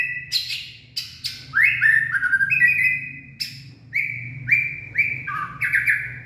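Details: White-rumped shama singing and dancing in late afternoon, 18 February 2024: sharp clicking notes followed by fluid whistled slides and rapid repeated phrases, loud and varied, over a quiet low hum.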